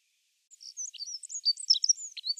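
A dunnock sings a fast, high, jumbled warble of thin squeaky notes, tumbling continuously for about two seconds with no other sounds.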